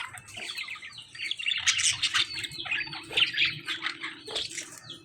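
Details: Fight between lovebirds and budgies: continuous rasping chatter and shrill squawks with uneven bursts throughout. Faint low background rumble.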